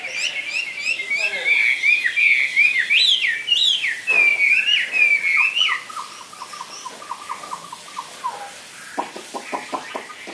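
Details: Chinese hwamei kept in a cage sings loud wavering whistled phrases for about six seconds, followed by a quieter run of short repeated notes and a few clicks.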